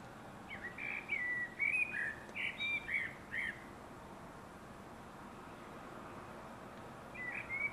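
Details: A common blackbird (Turdus merula) sings a run of mellow, fluty warbled notes for about three seconds, pauses, then begins another phrase over a steady background hiss.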